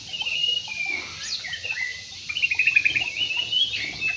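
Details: Jumbo budgerigars in an aviary produce a continuous stream of high twittering and buzzy warbles, with a brief upward squeak early on and a rapid trilled run near the end.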